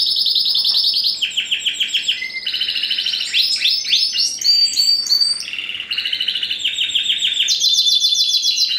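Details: Spanish Timbrado canary, 2015 first-generation cross with wild canary, pouring out varied song: rapid repeated descending notes, switching trills and high chattering phrases without pause.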